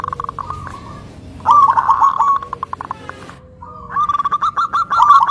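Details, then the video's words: Local zebra dove (perkutut) with a thick, melodious voice that provokes other zebra doves: soft rolling coos, a loud trilled phrase, a pause, then rapid repeated hooked notes. "Perkutut Lokal Super Mewah Suara Tebal Berirama Syahdu Pintar Menyulut Emosi Perkutut Lain"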